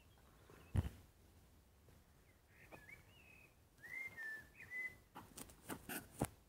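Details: Common blackbird song at sunset: several mellow whistled phrases, some sliding downward, broken by loud knocks and rattling handling noises nearby.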